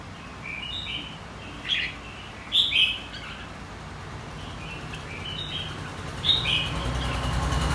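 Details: Red-whiskered bulbul, white-cheeked type, trained for singing contests: short lively whistled phrases in small groups, with fainter notes between them and a rising low rumble toward the end.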